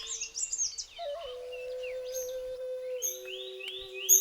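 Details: A Malabar whistling thrush (Myophonus horsfieldii) sings in the Western Ghats, India, in the hot May dry season, early morning before sunrise. It gives clear, rising and falling whistles in quick phrases, with other birds chirping and a steady low musical drone beneath.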